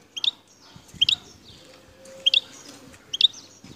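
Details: Wild goldfinch in Bouteldja, El Tarf province, Algeria, uttering four crisp high double chirps about one second apart, with a quiet noisy background.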